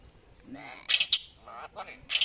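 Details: Common myna mimicking speech while people chat with it: bright, sharp chirping syllables in quick pairs mixed with human voices.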